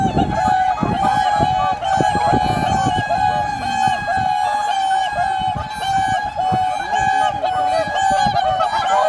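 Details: Dense chorus of swans at Kotoku-numa, Japan, in the dark dawn blue hour: continuous overlapping trumpeting honks, one long droning note running throughout, with occasional low handling and wind sounds.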